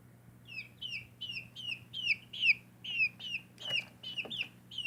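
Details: Backyard-raised baby chicks giving clear, high descending peeps roughly two or three times a second, some doubled, over a constant low electrical hum.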